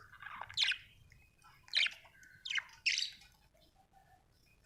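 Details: Happy budgie uttering spaced single chirps, each a short harsh downward squawk about a second apart, with a faint warble at the start and a last loud note.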